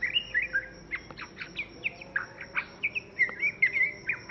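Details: Varied song of a young white-rumped shama: quick series of high whistled slurs and sharp downward chips, some phrases trilled, notes coming several per second over a constant low hum.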